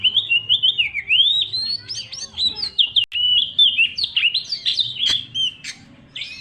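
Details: Oriental magpie-robin, a young forest-origin bird, delivers a loud, persistent lure song meant to stimulate other birds. Rich warbling whistles roll up and down continuously, broken by brief pauses and a few sharp clicks.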